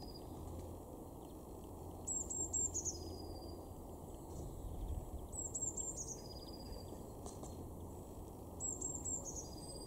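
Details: A Eurasian blue tit in a garden in Weener, East Frisia, northwest Germany, in February 2023, gives three thin, very high phrases about three seconds apart, each falling into a lower trailing note, over a steady low rumble of wind or traffic.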